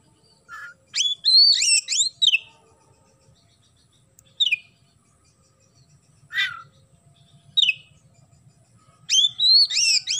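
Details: Oriental magpie-robin singing a sparrow-imitation fill. Short bursts of bright hooked chirps alternate with single lower rasping notes every second or two, then the song ends in a fresh quick cluster. A faint low rumble runs through.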